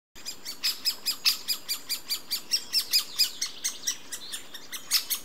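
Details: Great spotted woodpecker nestlings begging as the adult feeds them: a loud, high, scratchy chatter of rapid chirps, about two or three each second, with no pause.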